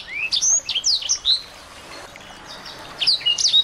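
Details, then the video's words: Small birds give rising whistles and sharp chirps in two bursts separated by a near-silent gap, used as tutor audio to excite a white-rumped shama. "masteran burung kecil agar murai batu gacor AMPUH buat PANCINGAN murai batu agar bunyi EMOSI"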